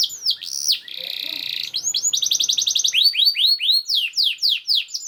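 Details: Rapid canary song played to train other canaries, with sharp sweeping notes, a steady buzzy roll, a quick rattling trill and strings of descending notes, roughly four per second.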